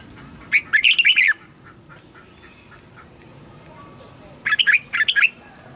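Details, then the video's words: Red-whiskered bulbul singing as a training voice to teach young birds and excite wild-caught birds: two rich, chattering whistled phrases about three and a half seconds apart, faint thin whistles in between. "Chào mào luyện giọng giúp má trắng học giọng hiệu quả, kích chim bổi nhanh hót và căng lửa."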